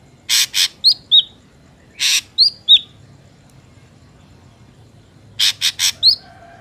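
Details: Ashy drongo recorded in nature for luring wild drongos: pairs of harsh broadband rasps each followed by two sharp downslurred whistles, repeated in three phrases.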